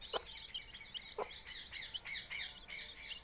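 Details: A brood of chicks four days old beside their hatching hen, peeping loudly in shrill, falling chirps that tumble over one another nonstop, with two dull knocks early on.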